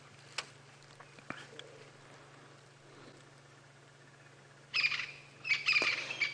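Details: A crested francolin in a South African game reserve gives its late-morning alarm call on 15 September 2016: loud, harsh, rattling bursts near the end, two grating runs a second apart, over safari vehicle engine hum and quiet clicks.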